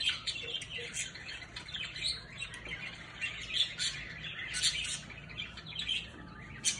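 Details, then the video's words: Several captive Orange-fronted parakeets playing with toys chatter steadily together, with overlapping high, scratchy chirps and short squawks and no pause. "PERIQUITOS frente naranja JUGANDO"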